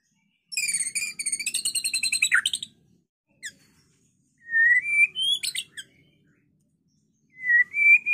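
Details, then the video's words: White-rumped shama singing to provoke other birds into fighting and singing; opens with a rapid trilled, stacked chattering burst, then separate rising whistles and sharp notes spaced by long silences. "Suara MURAI BATU GACOR tarung efektif pikat bunyi murai bahan"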